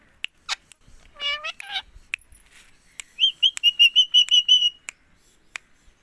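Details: Captive green ringneck parakeet from India talking: a short harmonic "mummy"-like phrase, then a quick run of about eight bright, even chirps at a steady pitch, with sharp clicks scattered throughout a quiet indoor setting.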